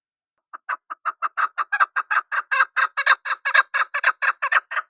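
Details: A chukar partridge gives a steady series of rhythmic chuck notes, roughly two per second, building in loudness and harshness as the rapid chattering phrase continues.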